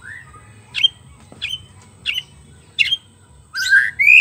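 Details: White-rumped shama lure recording for attracting wild birds: loud sharp chipping notes repeated roughly every 0.6 to 0.7 seconds, ending in a burst of rich rising whistles.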